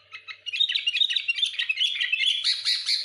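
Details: Sooty-headed bulbul delivering a rapid, unbroken stream of high chirps and warbled notes, sung to pressure and provoke rivals, building in intensity toward the end.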